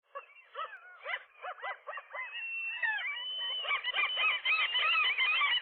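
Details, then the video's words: Gull nesting pair on a rooftop in the morning, confronting a single gull that tried to get between male and female; rapid, harsh, arched yelping notes repeated in quick series, building into a dense overlapping chorus from several birds. "seagulls, gull wrestling"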